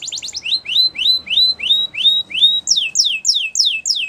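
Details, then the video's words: Russian canary in flute singing, a training song: rapid high chips give way to evenly spaced rising whistled slurs, then loud falling sweeps repeated about three per second. "Russian Canary Flute Singing"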